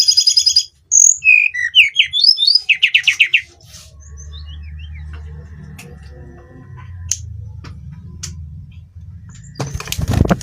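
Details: Hill blue flycatcher's daily song opens with high whistles and a rapid buzzy trill, then fades under a steady low engine-like rumble.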